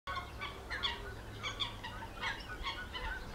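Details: Four hungry, newly hatched stork chicks in the Lippe floodplains give harsh, rasping, squealing bursts, several times a second in an uneven run, over a low rumble of wind.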